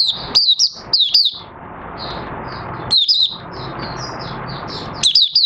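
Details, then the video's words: Caged oriental white-eye, 25 August 2022, after three months of open-cover night sleep training, giving short bursts of thin, high zipping twitters roughly every two seconds over a constant background hiss. "Mata Puteh Raja Buka Sing"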